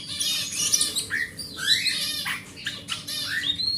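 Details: Large-bodied forest oriental magpie-robin, a grade A bird kept as a home hobby, sings to coax a silent magpie-robin into singing. Dense, squawky, scratchy phrases run with quick rising and falling whistled sweeps in a continuous jumble.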